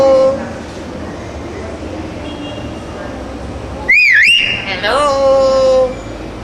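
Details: A talking black myna gives a loud, wavering whistle that rises and falls, then a rough screech and a long level whistle, over a steady background hum.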